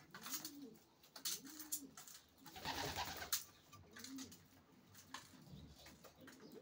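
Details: Racing pigeons cooing indoors: low, rounded, wavering coos rising and falling in repeated arcs, with clicks, rustling and scraping noises from a small room loft around them.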